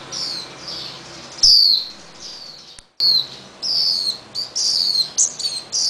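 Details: Swinhoe's white-eye fledgling, once caged for protection, now freed and chased by feeding parents around garage steel beams; dense series of high, falling chirps, some overlapping, with a brief pause midway.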